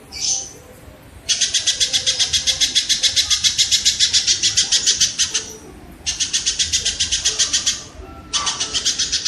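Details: Kingfisher tutor recording for competition songbirds: three long bouts of fast, rasping notes, repeated about four times a second and separated by short pauses.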